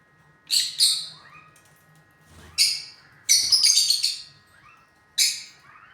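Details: Lutino lovebirds kept as pets give loud, harsh, shrill chirps in short bursts: a quick pair, a pause, then a dense chattering cluster and one more sharp chirp, with softer faint calls between and a quiet steady hum behind.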